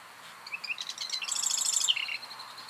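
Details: Marsh wren song: a few high scratchy introductory notes, then a fast buzzy rattling trill lasting about half a second, ending in a short lower chattering tail.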